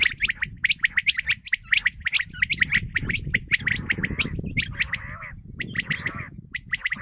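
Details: Common quail calling in a hunting lure recording: dense runs of quick, high clipped notes repeated in bursts, mixed with a raspy nasal gargle and constant low background noise.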